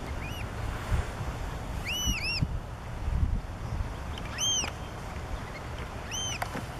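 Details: Black oystercatchers, parents with recently hatched chicks, at Hopkins Beach, Pacific Grove, among harbor seals, give loud, ringing piped whistles, singly or in quick doubles every second or two, over a steady low rumble of surf and wind.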